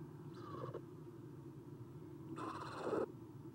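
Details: Three Eastern screech owl owlets in their nest box on a spring morning, 30 April 2016: two scratchy, hissing rasps almost two seconds apart, the second longer and louder, over a droning low hum.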